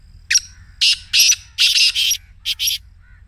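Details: Black Francolin giving its excited calling voice, used to prompt a caged francolin to call and meant for morning playback: a harsh, grating phrase of about six rasping broadband notes spread over three seconds, the middle notes longest.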